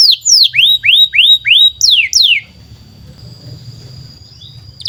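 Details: Canary's long 'gacor' training song for young and non-singing canaries: repeated downslurred whistles in quick succession, then the singing stops, leaving a faint thin tone and low room hum.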